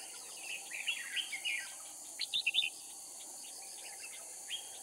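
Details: Decoy red-whiskered bulbul from Cao Phong singing at a trapping site in Kim Bôi, Hòa Bình, Vietnam; a lively warbled phrase followed by three quick, loud, sharp notes and a final faint call, against insect drone.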